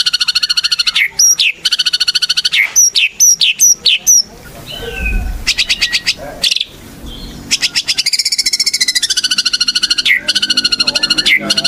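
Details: White-rumped shama song used as a lure to make other birds sing: rapid rattling phrases and sharp clipped notes, a brief pause with low rumble, then a long fast trill with swooping whistled accents.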